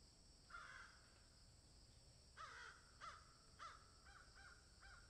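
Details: Crow in a field gives one drawn-out caw, falls silent, then launches a run of shorter, clipped caws that weaken toward the close.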